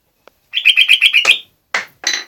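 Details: Bulbul singing vigorously: a quick run of about eight repeated bright chirping notes, followed by two separate harsher chirps.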